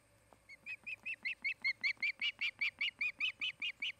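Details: An osprey at its Montana nest near Charlo, camera-recorded on an August 2018 afternoon, gives a rapid train of high, piping chirps that grows louder after a soft start, notes coming roughly two and a half per second.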